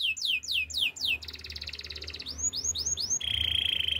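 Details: Canary in training song: downward whistled sweeps, a dense mid-pitched trill, rising slurred notes, then a steady vibrating roll.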